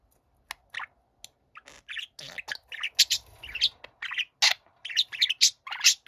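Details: Younger pet budgerigar singing while an older budgie listens quietly: a fast, chattering warble of chirps, squeaks and buzzy notes that builds from scattered clicks to dense, loud phrases.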